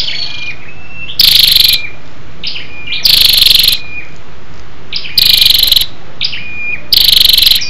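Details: Female scarlet-backed flowerpecker giving lure calls meant to excite males; high sharp ticks and thin falling whistles, interrupted by four loud, harsh broadband buzzing bursts spaced about two seconds apart.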